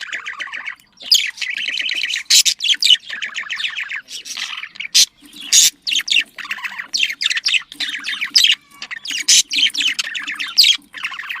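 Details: Budgerigars, small long-tailed Australian parrots kept as pets, chattering in a breeding-stimulation mating sound: long runs of rapid rattling chirps and squeaky warbled notes, broken by a few short silences, with a soft low hum beneath.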